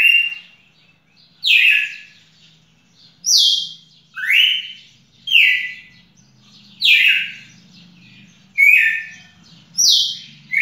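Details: A red-cowled cardinal recorded 18 June 2021 sings a run of rich, falling whistled phrases, about eight in ten seconds, alternating high and mid starting pitches, with a faint low hum underneath.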